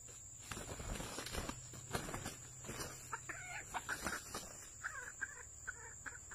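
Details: Red junglefowl during a trapping session gives a run of short, harmonic clucking notes in quick bursts through the second half, after rustling and thumping handling noises early on, with a steady high electronic hiss throughout.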